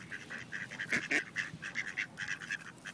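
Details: Ducks in Wilmington, NC, as rejected males attempt forced mating with a female; loud, rhythmic nasal quacks repeat about four times a second, punctuated by a couple of sharper, harsher notes near the middle.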